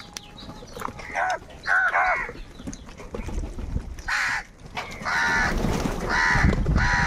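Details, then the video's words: Crows squabbling angrily over food give hoarse, nasal caws. Short calls come early, then longer overlapping raspy calls build into a near-continuous chorus toward the end, over low background rumble. "Kaka sound and noises of crow birds | Crow bird Fight for Food | Angry kauwa ki awaaz"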